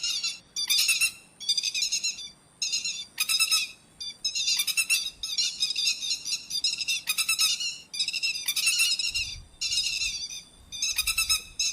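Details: Grey-headed lapwing recording for night net trapping: regular bouts of loud, strident chattering notes about every second, separated by short silent gaps, with faint low thumps near the end.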